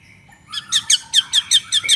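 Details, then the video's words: White-rumped shama lure song for provoking other shamas: short, squeaky, high notes repeated about every fifth of a second, each a quick downward slur. "SUARA BURUNG MURAI BATU GACOR INI"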